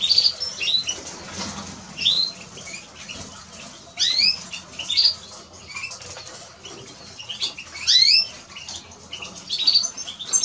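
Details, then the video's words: Eurasian siskin singing in high, bright twitters, with sharp upswept notes in bursts every couple of seconds and softer chatter in between, over a faint background hiss. "Eurasian siskin Song -Spinus Spinus -Scatiu"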